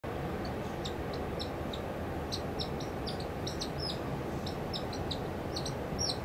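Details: Pied kingfisher (Ceryle rudis rudis) giving sharp, high, clicking chirps in loose irregular bursts, several per second at times, over a steady low rumble of wind or water; Langue de Barbarie, Senegal, April 2010.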